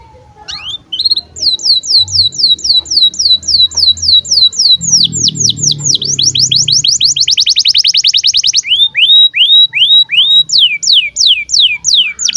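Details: Birahi song of a breeding-condition canary meant to tutor young birds: long runs of rapid sweeping whistles accelerating into a dense trill, then slower falling notes, with faint low background hum.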